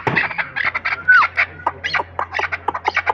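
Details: Hunting partridge, a chukar, repeats harsh chopped notes in quick succession; one brief clear whistle slides down midway over a low background hum.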